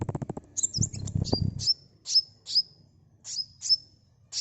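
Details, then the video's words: Sunbird sound played as a lure. Low rustling and knocking come first, then a series of high, piercing chirps with short downward tails, repeated roughly every half second. "Suara asli kolibri pancing bahan cepat respon ngeplong"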